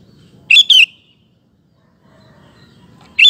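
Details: Sooty-headed bulbul singing in full voice, played as a lure to draw other males into song: a quick pair of bright slurred whistled notes, then silence, and a fresh phrase starting at the end over a faint low rumble.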